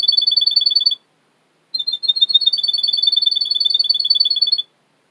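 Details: Russian canary, a male kept by a breeder in Miami, Florida, on a training recording: one short burst of quick high trilled notes, a pause, then a longer rolling trill of alternating bright chirps lasting about three seconds.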